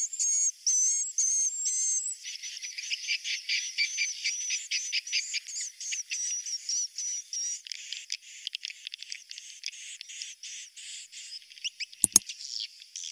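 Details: Swiftlet roosting call, used as a lure to attract swiftlets: a few clear, high whistled notes repeat at first, then give way to dense, buzzy twittering. The twittering thins out toward the end, and a sharp click sounds near the close.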